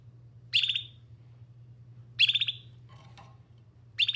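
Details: Loud brief chirps from a canary about every one and a half seconds, each a quick burst of rapid notes, with a faint soft rustle between; steady low hum throughout.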